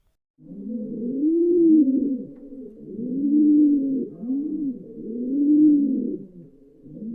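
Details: Pigeon cooing: low, soft rolling coos in rounded swelling phrases, each rising and falling, repeated roughly every two seconds with brief quiet gaps.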